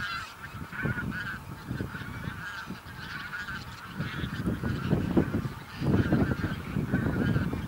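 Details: Couple of thousand bean geese gathered on a field on Texel, Holland, 22 November 2014; rolling honking chorus that swells louder in the second half, with low wind or motor rumble.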